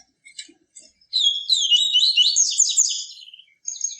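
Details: 'Tui tui viviti' song of a yellow-bellied seedeater, pure song for stimulating and teaching captive birds: scattered thin chirps lead into a loud two-second cascade of high, buzzy, rapidly modulated notes, ending with a brief trill.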